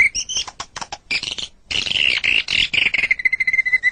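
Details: White-rumped shama masteran song for tutoring pet birds: a few squeaky, scratchy notes, a short break, then a harsh buzzing chatter that settles into a thin, steady trilled whistle.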